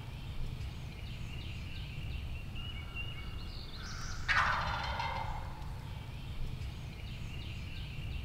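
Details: Gobble of a wild turkey gobbler during the 2023 opening-day spring turkey hunt in Tennessee: a single harsh, rapid rattling burst midway, while small birds whistle steadily in the background.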